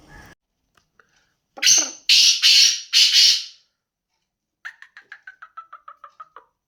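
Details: Black francolin calling: three loud, harsh, grating notes in quick succession, then a run of about a dozen short, clipped notes that fall slightly in pitch and fade, heard over an otherwise quiet background.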